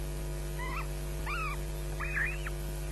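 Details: Osprey chicks at Loch Garten, Scotland, on 22 May 2012 at 09:56, scrapping on the nest and shrieking for food while a parent looks on; a few rising-falling whistled squeals with harmonics over steady low hum.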